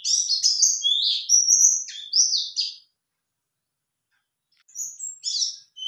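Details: Male white-eye answering a lure call: quick high chirping twitters in sliding notes, a burst of about three seconds, a pause, then a shorter second burst.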